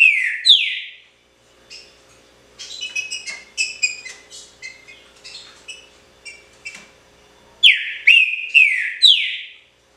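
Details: Green-winged saltator kept as a cage bird, pixarro song style: two bold downslurred whistles, a stretch of quieter clipped notes, then a fresh burst of four loud descending whistles.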